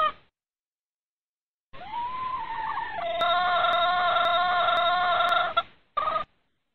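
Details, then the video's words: Red junglefowl hen calling the rooster in breeding season: after a silence, a long drawn, rising then level harmonic note held about four seconds, ending abruptly, with a brief matching note after a short gap. "tiếng gà mái rừng rặc gọi trống mùa sinh sản"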